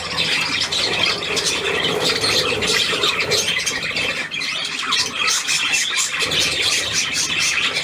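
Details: Several pet budgies in the morning keep up a busy, scratchy warbling and squawking with rapid chirps, their keeper speaking German to them close by.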